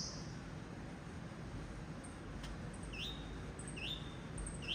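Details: Song of a blue-black grassquit: thin upslurred notes that rise and then level off, repeated three times about every half second, over a steady low rumble.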